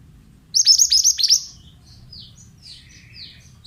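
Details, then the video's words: Pied bushchat phrase for coaxing young birds: a rapid burst of six or seven bright, high, down-slurred notes, followed by faint thin whistles and chirps from other birds. "Terapi Suara Burung Mantenan Bahan Jamin Langsung Nyaut"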